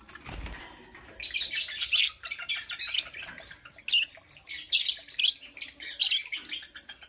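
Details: Morning chirping from pet lovebirds: after a brief quiet start, a continuous chatter of shrill, high-pitched chirps and squeaks runs on, notes tumbling over one another in rapid clusters.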